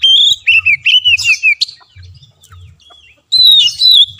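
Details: Kacer (Oriental magpie-robin) masteran song played to stimulate a reluctant caged bird: rhythmic run of curved whistled notes with buzzy overtones, a pause of over a second, then a bright falling whistle and rich chatter.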